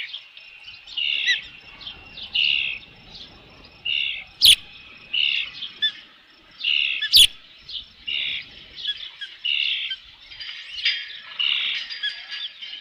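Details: Osprey at a nest with a fish, recorded by nest camera at a ranch on 3 June 2018 around 5 PM; a series of high, whistled chirping calls repeated roughly every second or two, with two sharp clicks.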